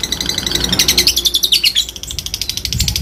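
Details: Fighter lovebird delivering ngetik and ngekek to call rivals: a burst of quick, piercing chattering notes wavering in pitch, followed by lighter rapid ticks.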